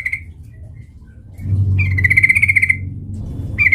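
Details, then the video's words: Sooty-headed bulbul used as a fighting lure, giving one long rasping, fast-pulsed chatter lasting about a second, flanked by brief buzzy fragments at the start and end, with a steady low hum beneath. "PANCINGAN trucukan gacor TARUNG MENJADIKAN burung trucuk gacor NYAMBAR"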